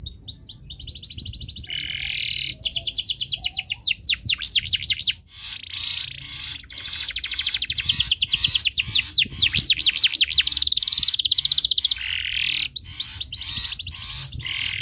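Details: Canary in breeding condition, singing to set other birds singing: long continuous song of rapid trills, rolling buzzy passages and quick repeated sweeps, loud and almost unbroken.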